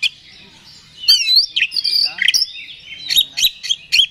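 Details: Magpie-robin (kacer) lure to stir another bird's aggression: after a quiet second, rich fluttering trills and bright whistles pour out, followed by rapid grating chips and high twittering.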